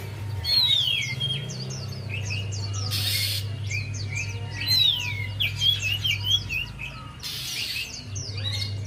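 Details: Javan white-eye singing, played as a lure to prompt a reluctant bird to sing: quick chirping twitters and bright descending whistles, with two short bursts of hiss and a low constant hum.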